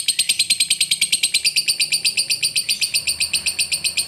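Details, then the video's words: Lovebird in long chatter used to coax a reluctant lovebird into song, a steady string of shrill, scratchy high notes repeated rapidly and evenly throughout. "Lovebird ngekek Panjang ini Pintar Memancing Emosi Lovebird Malas Bunyi"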